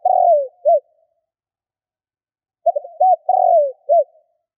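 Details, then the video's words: Spotted dove cooing in the 'kích bổi' style. A phrase ends with a long falling coo and a short note, and after a pause a full phrase follows: stuttered notes, an arched coo, a drawn-out downslur and a final short coo. "Cu gáy Kích bổi / Tiếng cu gáy gọi bôi"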